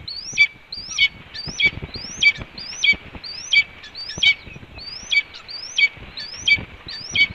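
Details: Female red-tailed hawk announcing her return to the nest with a steady series of high, thin, upslurred squeals with a sharp drop, roughly ten repeated about every 0.7 seconds.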